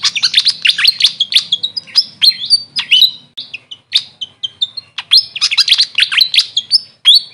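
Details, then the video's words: Continuous tumbling series of thin, high chirps from a grey fantail (local name Maria Capra), notes sliding sharply down and up, with short flat whistles mixed in throughout. "Grey Fantail bird call||huni ng Maria Capra kung sa amin tawagin"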